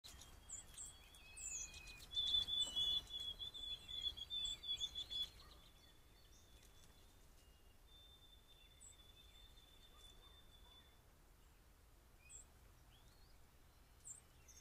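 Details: White-throated sparrows on a deck, caught by a trail camera, sing long, pure, steady high whistles while other birds add brief high chirps over soft outdoor background noise.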